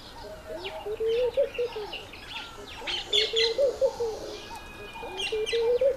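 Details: A laughing dove in courtship display, trying to get a female's attention, gives soft, bubbling low coos in rising runs of several notes about every two seconds, while small birds chirp high in the background.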